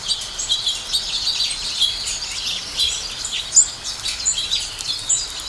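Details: Feeding house sparrows produce a constant twittering chorus of sharp, high chirps from several birds at once, with a few louder individual notes standing out over low background noise.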